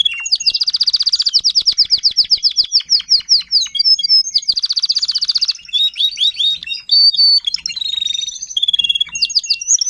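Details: Timbrado canary, an adult lead singer tutoring young canaries in 2021, delivers long dense rattling trills of rapidly repeated high notes, then breaks into varied whistled and chattering phrases near the end.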